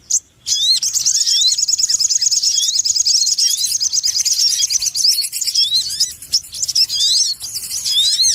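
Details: Indonesian sogon ontong lure call for bird trapping: an unbroken, dense stream of shrill chattering and twittering, with quick up-and-down whistled slurs running for several seconds and only brief dips in loudness.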